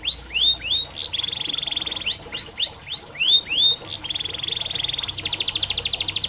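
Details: Canary song played as therapy and training for canaries reluctant to sing: rapid sweeping whistled notes, fast buzzy trills held for about a second, then a harsher high rattling trill at the end.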